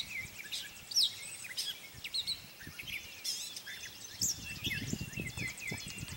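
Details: At Morgans Point on May 22, 2020, a gray catbird sings a rambling medley of scratchy chirps, quick high slurs and brief trilled notes. Continuous low-pitched environmental noise runs underneath throughout.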